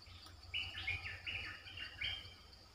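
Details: Streak-eared bulbul, a lure bird calling wild birds, gives a run of short sharp chirped notes in quick bursts over about two seconds, with a steady insect drone and a faint hum behind.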